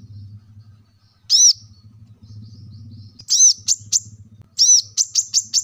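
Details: Plain-throated sunbird, locally called kolibri kelapa, recorded as a lively singer to prompt caged birds to sing; three bright, arched, very high chirps, each followed by short sharp ticks, over a low steady hum.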